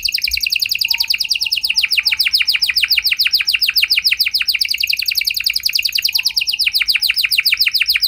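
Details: Canary sings steadily in 'gacor' style, a continuous rapid trill of high downward-sweeping notes, about three or four per second. The song is meant to draw other canaries to reply.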